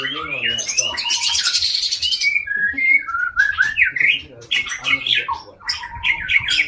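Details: Loud, variable song of a captive Aceh white-rumped shama, a long-tailed Indonesian breeding bird: a harsh scratchy burst, then clear whistled slurs and looping rising notes, with quick chirps and a faint regular low thud.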